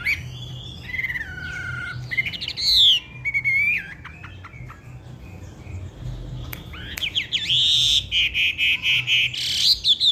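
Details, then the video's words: Black-naped oriole singing energetically, mixing smooth slurred whistles, sharp clicks and bursts of quick chattering notes, ending in a loud run of rapid repeated high phrases. "wambi gacor"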